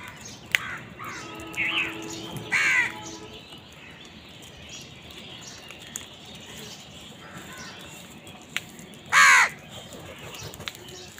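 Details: Crow fighting over food gives three harsh, raspy caws: two close together early on, then one more after a long pause, over a quiet outdoor background.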